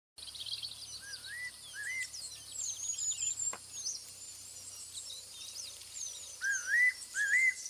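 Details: Javan banded pitta (Hydrornis guajanus) giving two short, rising-then-falling whistled notes near the start, repeated near the end, over a busy chorus of high chirping birds.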